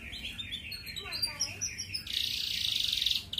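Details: Red canary used as a lure to prompt female canaries to breed, with a series of short high chirps and warbles rising in pitch, then a sustained bright buzzy trill of about a second.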